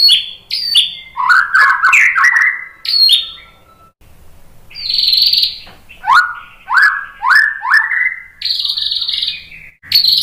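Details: White-rumped shama song for prompting other shamas to sing: sharp whistled notes and warbles, then harsh buzzy bursts and a series of rising upslurred whistles repeated about every half second.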